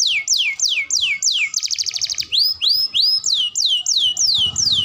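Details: Canary singing for training young birds: repeated downward-sliding whistles, a short rapid trill, then upward-arching whistled notes in a steady series, with a faint low hum near the end.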